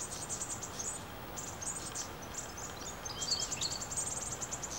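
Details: Brown-headed honeyeaters (Melithreptus brevirostris), a family group in the You Yangs west of Melbourne plucking koala hair for nests, give rapid, very high, thin chips in chattering bursts with a few lower squeaky notes over soft hiss.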